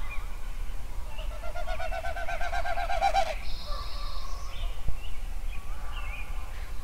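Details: At sunrise in Yellowstone a songbird gives a rapid run of repeated whistled notes that rises and speeds up, then a high buzzy trill, with scattered chirps from other birds and a steady low rumble.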